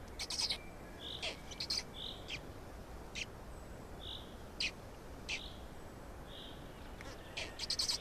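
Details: Black storks in Estonia feeding, 16 May 2019, 12:47: faint, breathy short notes spaced a second or more apart, with isolated sharp clicks.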